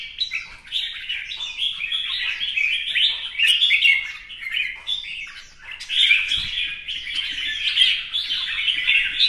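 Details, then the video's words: Competition-singing red-whiskered bulbul, newly moulted, dancing with a fanned display. Dense, rapid warbling in overlapping phrases, mixing sweet whistles with scratchy notes. It continues almost without pause, and a soft knock is heard midway. "CHÀO MÀO | CB Quạt Mo chiếc áo mới hót đấu múa xòe"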